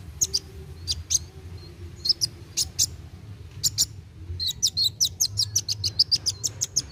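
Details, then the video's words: Kolibri wulung sunbird singing rapid narung song to stimulate young birds: spaced sharp, high ticking notes, then a long quick run of chips at a steady rhythm, with low background hum. "KOLIBRI WULUNG GACOR NARUNG CEPAT MERANGSANG BUNYI BURUNG BAKALAN"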